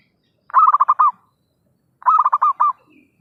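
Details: Zebra dove lure call for trapping birds: two loud bursts of about six rapid, staccato cooing notes each, the bursts about one and a half seconds apart, with near silence between them.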